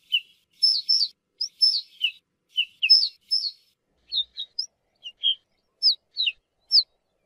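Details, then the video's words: An Ortolan bunting gives short, high chirps and slurred notes, bunched in quick runs and then spaced singly, with no other sounds. "صوت درسة الشعير call Ortolan Bunting"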